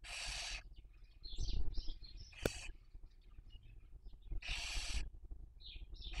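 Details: Barn owl on a nest webcam in Cabañeros National Park, Castilla-La Mancha, Spain, during the 2023 breeding season while raising young: two harsh, breathy hissing screeches about four seconds apart, with soft short chirps and a sharp click between them.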